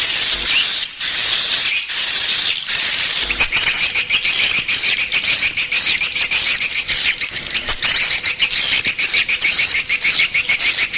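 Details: Swiftlet lure call used to attract swiftlets. A steady high thin whistle tone runs for about three seconds, then gives way to dense, fast, buzzy twittering chirps that repeat in rows throughout, with a hissy background.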